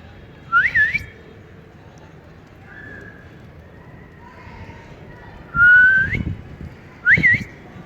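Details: Pet ring-necked parakeet, a talking bird, enjoying cool weather: three clear whistles, a short rising-and-falling one, a long level note ending in an upward sweep, then another quick wavy whistle, over low background rumble.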